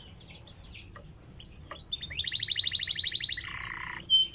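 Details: Panda canary song, played to coax other canaries into singing: high whistled notes and upslurs, then a fast even rattling trill of about twenty pulses and a lower buzzy phrase, with faint low background hum.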